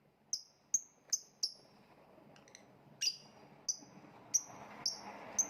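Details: Lovebird uttering a run of thin, sharp, high-pitched chirps, several quick ones in a row, a pause, then more at irregular intervals, with soft low room noise underneath.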